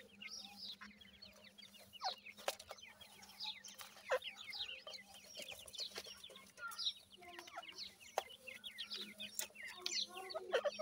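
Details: Young grey francolin chicks kept for raising, a dense chorus of thin, high cheeping notes overlapping continuously, with a steady low hum and scattered clicks.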